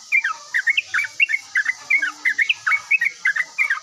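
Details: A yellow-vented bulbul responding straight away with lively song: quick, liquid, up-and-down whistled phrases repeated several times a second, steady throughout, with faint background hiss.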